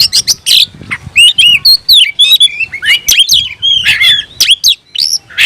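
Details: Oriental magpie-robin (kacer) in a cage, tail spread, singing aggressively toward a rival; repeated upward-curving whistles and clipped chips delivered in quick, evenly spaced bursts.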